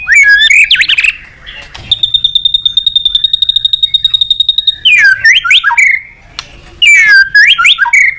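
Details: White-rumped shama song, used to stimulate other birds to sing: loud whistled, swooping phrases with sharp upward and downward slides, broken mid-way by a fast, steady series of identical high beeps lasting about three seconds.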